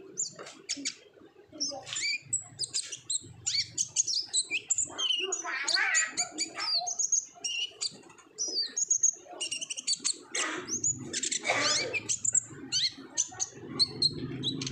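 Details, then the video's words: Energetic olive-backed sunbird song in the 'ngobra' style, played to coax raw, untrained sunbirds into singing; long, dense outpouring of high twittering, sharp chips and buzzy trills with hardly a pause, and faint low hum beneath. "PANCINGAN KONIN GACOR NGOBRA , KONIN BAHAN PASTI AKAN RAJIN BUNYI"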